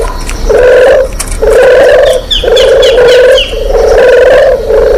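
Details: Spotted dove lure call used for trapping, deruk style: low hollow cooing notes repeated roughly once a second in a steady series, over heavy hiss and a few faint higher chirps.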